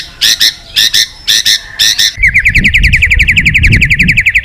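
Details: A white-rumped shama in full song, calling a rival. Four loud, spaced double chirps come first, then a fast, even trill of buzzy, upswept notes that runs to the end.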